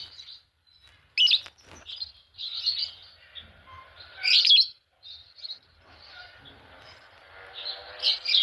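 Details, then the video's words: Green Fischer's lovebird pair chirping: scattered shrill high chirps and short squeaky bursts with quieter twittering between them, a few louder notes standing out, ending in a rising flurry. "Lovebird singing and chirping sound, green fischer pair"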